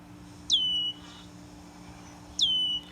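Two thin, high, down-slurred whistles from a male Red-winged Blackbird, about two seconds apart, sounding a predator alarm over a faint steady hum.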